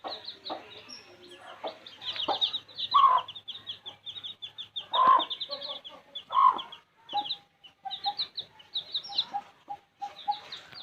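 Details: Baby chicks from village life chirp in high, scattered peeps. A few louder mid-pitched tonal calls stand out near the middle, and there are short quieter pauses.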